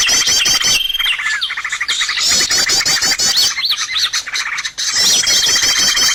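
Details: Birdsong lure for trapping, packed with many overlapping voices: fast chattering trills, repeated upslurred and downslurred whistles and a held high tone, continuous and loud throughout.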